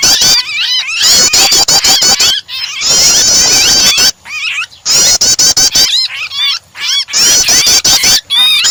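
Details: Prinia starter sound blended with a trapped, distressed bird, used to set other birds singing: fast high chattering phrases in loud bursts, separated by short gaps, with frequent sharp clicks throughout.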